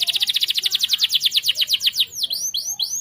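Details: Lively canary song used to train other birds: a fast, even run of bright repeated notes that breaks into looping, swooping whistles.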